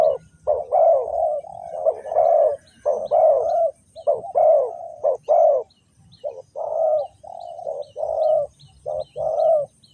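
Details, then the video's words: Spotted dove from Ninh Thuận calling as a trap lure for wild doves: nearly ten seconds of repeated mellow coos, short and long notes interleaved in bursts, with one brief pause midway. "The Sound Of dove"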